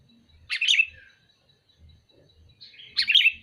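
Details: Sooty-headed bulbul calling: two short, bubbly, chirping phrases about two and a half seconds apart, with faint low thumps between them.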